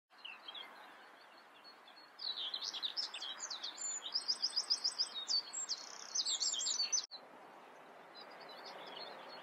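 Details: Common whitethroat (Sylvia communis) singing: after a quiet start, a fast, scratchy, chattering warble of short buzzy and rattling notes runs from about two to seven seconds, then stops abruptly, leaving a faint background hiss.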